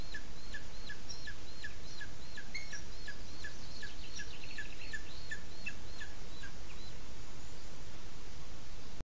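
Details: Booted eagle calling at a Sierra de Guadarrama National Park nest in Spain, recorded by webcam during the chick's presentation to the male: quick run of thin, falling notes that stops after about six seconds, leaving steady low hum.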